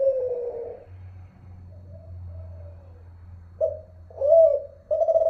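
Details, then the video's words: Zebra dove of the Kelantan song type from Malaysia, unedited recording: a soft, low, falling coo, a quiet gap with faint hum, then a few short throaty coos bunched near the end. "Suara terkukur @ derkuku"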